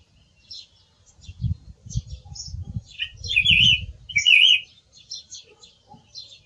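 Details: Song thrush singing: loud bursts of high, varied twittering and whistled notes grouped into short phrases, with low thumping knocks underneath in the middle of the recording.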